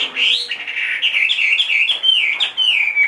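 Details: Chinese hwamei in a cage, aged two and a half and large in build, singing a continuous stream of bright, wavering whistles that rise and fall with barely any break.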